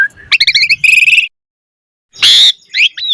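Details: Asian pied starling giving quick stuttering chirps and a buzzy trill, a pause, then a loud harsh screech followed by short rising whistles.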